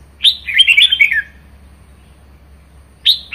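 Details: Red-whiskered bulbul kept as a pet, in vigorous ché singing: one rich, rapid warbled phrase of tumbling whistled notes lasting about a second, then quiet, then the start of another bright phrase.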